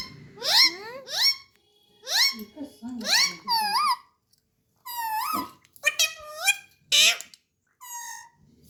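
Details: Pet talking parrot indoors giving squeaky, speech-like phrases with rising and falling inflections, short bursts separated by brief pauses.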